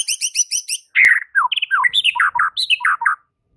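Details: White-rumped shama singing to provoke other shamas into singing: a fast buzzy harmonic trill, then a loud rich phrase of varied whistled and slurred notes, dropping and rising, ending after about three seconds.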